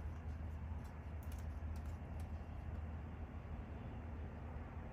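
Steady low rumble of vehicle or engine noise with no animal calls.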